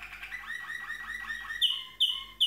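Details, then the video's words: A Malinois Waterslager canary sings a soft, rolling, bubbling warble, then breaks into three loud, ringing bursts about half a second apart. "Malinois waterslager canary singing"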